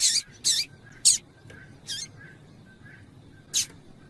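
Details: Double-collared seedeater: female calls and male song used to excite males. Five sharp, very high chips, some in quick pairs, come irregularly over four seconds with faint thin whistles between.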